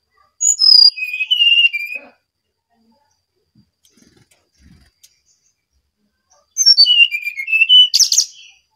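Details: Energetic song of a brown-chested jungle flycatcher: loud descending runs of clear, slurred whistles, two phrases about five seconds apart, the second ending in a harsh burst, with near silence between.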